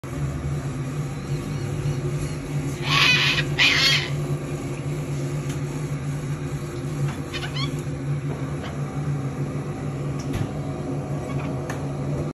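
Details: A parrot gives two harsh, loud squawks in quick succession at 6 am as a morning wake-up call, then a few faint chirps, over a steady low indoor hum.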